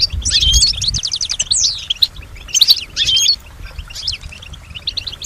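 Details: European goldfinch in captivity, said to imitate other birds and people; a rapid run of bright trilled twitters and a sweeping note, then a few short chirp phrases and quieter pauses.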